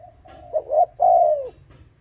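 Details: Spotted dove's provoking coo for luring wild rival males: a single phrase with soft lead-in notes, a short pulsed note, then a long, smooth, gently falling hollow coo.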